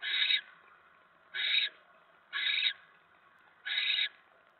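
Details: At the nest on the evening of 10 November 2017, 7:50 PM, as a mouse arrives, a barn owl gives four loud, rasping, breathy screeches spaced about a second and a quarter apart, with near silence between them.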